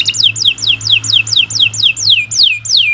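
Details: Canary tour used as a master song for young birds: about eleven falling whistled sweeps repeated roughly four per second, with a faint low hum beneath.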